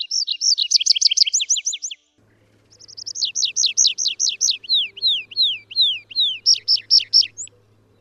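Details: Song of the wild Atlantic canary (Serinus canaria): dense rolling trill, a short silence, then repeated looping whistles slowing into long downward slurs and a closing quick phrase, over a faint low hum.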